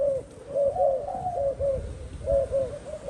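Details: Spotted dove in captivity giving soft, low, hollow coos in short arched pairs, repeated several times over a few seconds, over a faint background hum.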